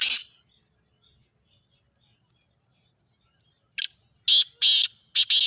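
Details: Teetar calling sound used to set a kept grey francolin calling: one harsh burst at the start, a long silence, then four loud rasping notes close together, broad and hissing in tone.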